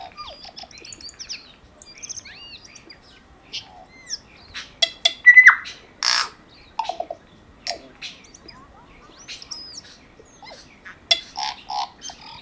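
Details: A tui in an urban neighbourhood in New Zealand, during lockdown, sings a varied run of bell-like notes, clicks, wheezy rasps and sharp whistled slurs, broken by short pauses, as song for attracting partners and defending territory; other chirps sound faintly behind.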